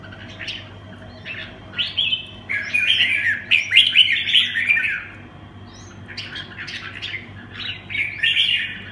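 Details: Red-whiskered bulbul, 'quảng lân bướm' style song: scattered chirps building into a loud, dense warbling run, a pause, then shorter chirpy phrases, accompanied by a steady low hum.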